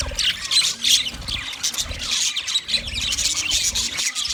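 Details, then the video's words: White male budgies in mating chatter, a busy stream of raspy squawks and bright chirps layered over one another with no pauses. A soft low drone runs beneath. "White Males Budgies Chirping sound Parrots mating sound"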